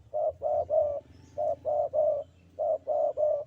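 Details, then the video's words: Javan spotted dove, a vocal bird singing in the sandungan kuk 2 style: low, mellow cooing notes in three groups of three, each group a shorter coo followed by two longer ones, with faint low hum behind. "Derkuku Jawa Gacor Sandungan Kuk 2"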